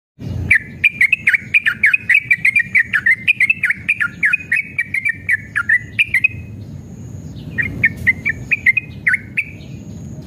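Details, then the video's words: Yellow-vented bulbul in full, energetic song used to provoke caged birds into answering: a long, fast run of bubbly, warbled notes at one bright pitch, pausing briefly before a shorter burst resumes; low rumble beneath. "trucukan gacor EMOSI ROPEL PANJANG pancingan trucukan agar bunyi"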